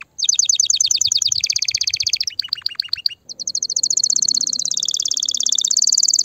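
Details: Excited canary singing to ready females for mating: quick high repeated notes turning into a buzzy roll, a brief pause near three seconds, then a long rising, very rapid high trill.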